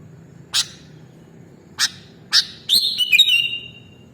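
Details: Kutilang, the sooty-headed bulbul, in a training recording for pet birds. Three separate dry clicks lead into a fast, bubbly whistled phrase that warbles and slides down, above a faint low hum.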